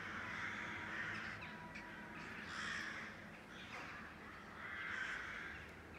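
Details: City-dwelling crow colony over rooftops near Blücherplatz in Kiel, Germany; hoarse caws from several birds in loose groups about every two seconds, amid distant urban hum.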